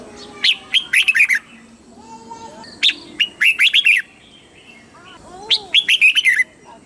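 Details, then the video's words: Red-whiskered bulbul recorded in Thailand, southern master-song style for exciting caged birds and tutoring young: three fast phrases of crisp, bubbly chirps, with softer low whistled notes from other birds between them. "เสียงนกกรงหัวจุก สำหรับต่อ หรือ เปิดให้นกคึก"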